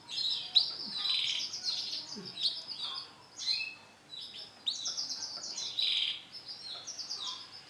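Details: Male canary, yellow and black pied, singing: high, rolling trills and warbled phrases in bursts of about a second, over steady background hiss.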